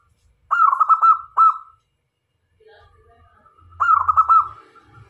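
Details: Actively singing local zebra dove kept as a lure to attract other doves: two rapid rolling coo phrases with a drawn-out trailing note, a pause with low hum, then another bubbling coo phrase.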